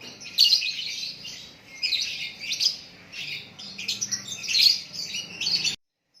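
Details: White-rumped shama singing naturally: bursts of high, bright chirps and twittering phrases repeated through the clip, ending in abrupt silence.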